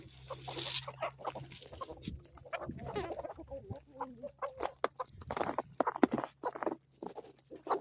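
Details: Chickens on an Ozarks homestead in the morning, giving busy overlapping clucks and short squawks among scattered clicks and scratching noises.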